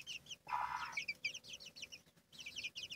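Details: Domestic chicks cheep in high, falling notes while the hen lets out one raspy, drawn-out cluck; a faint steady hum runs beneath.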